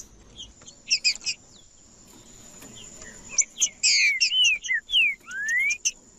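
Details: Green-winged saltator singing, used to warm up a cold bird: loud slurred whistles, several sliding down and one rising sharply near the end, after a burst of quick chirpy notes; a steady high thin tone runs throughout.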